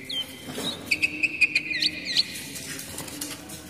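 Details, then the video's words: Oriental magpie-robin song played as a lure for young wild birds and as therapy to get moulting birds singing: a run of short, clear whistled notes at a steady high pitch, with a few upward-flicked notes, over a low hum. "SUARA DASAR KACER UNTUK MEMANCING KACER BAKALAN TROTOL MUDA HUTAN DAN TERAPI MABUNG JADI LEKAS BUNYI"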